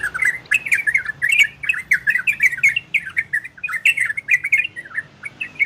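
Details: Orange-spotted bulbul performing ropel and garudo song styles to stimulate breeding in listening birds; lively strings of short warbled notes, some rising sharply, interspersed with dry ticks, then a short quieter pause near the end.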